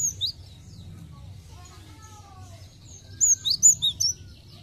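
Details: Cinereous tit song used as a lure to get untrained birds singing quickly: a short burst of sharp, high chirped notes, then a gap with faint background noise, then a second cluster of four or five quick piercing notes.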